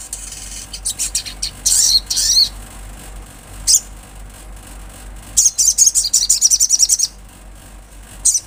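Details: Olive-backed sunbird singing in natural sound, high-pitched rapid chittering trills in several dense bursts, one longer run of quick repeated notes near the end, faint background hum.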